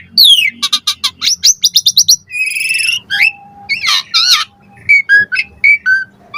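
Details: Lure song of an Asian pied starling with varied filler notes: a falling whistle, rapid clicking series, a buzzy rasp, wavering notes, then short spaced chirps over a faint hum.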